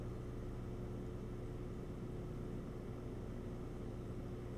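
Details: Constant low engine or machinery hum, with no animal voice.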